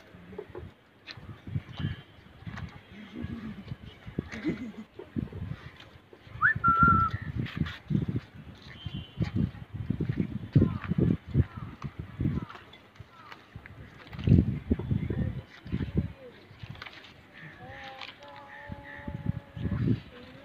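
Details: Hobby-kept pigeons, a loft that grew from two pairs to ten pairs in twelve months: deep, low cooing pulses come in repeated bursts throughout. A short whistled note sounds midway, and steady tonal sounds are heard near the end.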